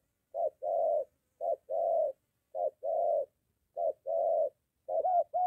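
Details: Near home, a moulting decoy spotted dove meeting a wild dove gives steady low coos, each short note followed by a longer mellow one, repeated about once a second.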